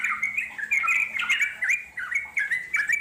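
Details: Yellow-vented bulbul, wild, chattering in long song (ngeropel panjang) used to lure wild birds; short burst of bright, slurred chirps and squawky notes in quick succession.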